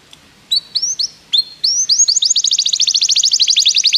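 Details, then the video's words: Begie canary in song for training: a few rising whistled notes with pauses, building into a rapid, dense high trill of repeated chirps. "Canários Begie cantam muito - o melhor treinamento canário para você"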